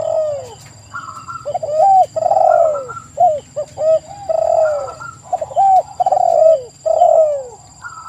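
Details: Spotted dove in a rapid run of soft, rounded coos, a few clipped and a few drawn out and falling, phrase after phrase with little pause. A faint constant high-pitched hum sits in the background.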